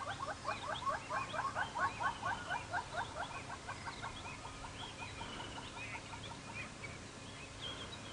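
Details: Southern Yellow-billed Hornbills, a mated pair, at Djuma Game Reserve, Sabi Sand, South Africa, on a November morning calling on waking before wing display: fast hollow clucking notes, loud and quick then slowing and fading; other birds faintly behind.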